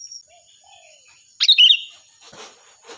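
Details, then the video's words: Sooty-headed bulbul giving a loud, shrill tutor song for other birds: soft faint notes lead into one bright, tumbling phrase, followed by rustling, scraping noises and a steady high tone. "Suara burung Kutilang Gacor || Nyaring dan keras cocok untuk masteran"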